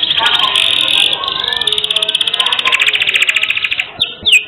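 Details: Canary in energetic song, used as a training recording for cage birds: a long, unbroken rolling trill held for about four seconds, closing with two sharp rising whistles.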